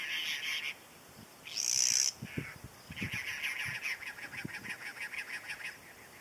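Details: A pair of cactus wrens giving harsh, grating bursts, then a long run of rapid, evenly spaced chugging notes like an engine failing to start, with a louder scratchy burst mid-clip; unseen cactus wrens faintly answer.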